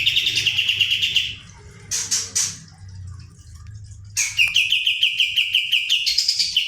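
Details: Kapas tembak bird singing actively in a rolling, rapid-fire style, used as a tutor recording: a fast metallic trill of repeated notes, then short buzzy bursts, then a second long rattling trill rising in pitch at the end.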